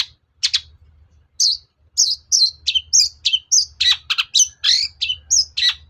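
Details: Long-tailed shrike song, kept as a cage bird and played to provoke other shrikes into singing: a fast run of sharp, scratchy, high chips and harsh notes, rather irregular, about 100 per minute, with a faint low hum.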